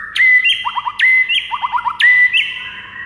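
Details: White-rumped shama singing in the morning, recorded as a master to train other birds: a sharp whistled phrase with a trailing run of short chirps, repeated three times about once a second, faint hum behind.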